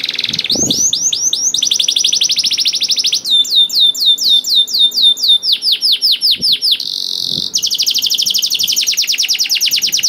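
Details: Vigorous canary song, used to get slow-singing canaries going: quick looping notes, a long fast trill, a run of downslurred whistles roughly three a second, falling sweeps, a buzz, and another rapid trill.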